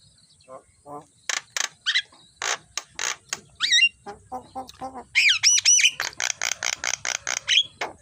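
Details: Javan myna morning training song, a busy medley of sharp ticks, short whistles, gurgling lower notes and bright looping whistles, ending in a fast run of repeated high chips.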